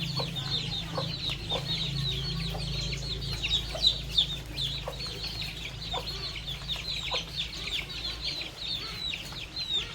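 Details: A flock of baby chicks and young chickens eating termites on a farm: a dense, nonstop chorus of high, falling peeps, a few faint pecking taps, and a low steady hum beneath.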